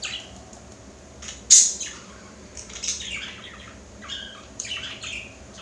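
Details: A male pet budgerigar admiring himself in a mirror chatters in quick, scratchy warbles broken by a sharp, bright squawk.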